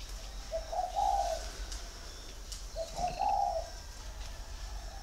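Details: Caged male spotted dove, six years in the cage, with a big voice in the 'giọng thổ' cooing style, from an aviary in Ba Vì, Vietnam. Two low, hollow coo phrases about two seconds apart over faint background hiss.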